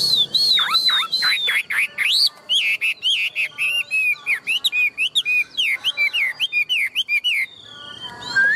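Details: Tame caged Chinese hwamei of large build, a strong singer and fighter, sings loud looping whistles that dip and rise, followed by rapid choppy bursts of varied sweeping notes.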